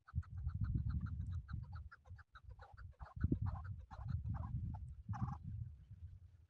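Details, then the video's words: Chukar partridge, a male, in a recording meant for hunting: bursts of clucking notes, some run close together and others spaced, partly buried in loud low-frequency rumble. "Male chakoor shikar kekliksesi"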